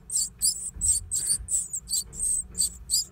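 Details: Great tit nesting inside an old stove, giving a dense run of loud, shrill high squeaks, about three per second, each a short buzzy burst, with only a faint low hum beneath.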